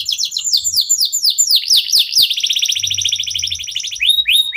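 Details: Local canary singing to draw song from other birds: rapid downswept notes speeding into a continuous rolling trill, then a few rising whistles; faint low hum underneath.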